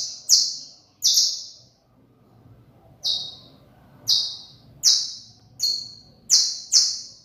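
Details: Saffron finch song of nine loud, high, falling chips in uneven groups, some pairs close together, others spaced a second or more apart.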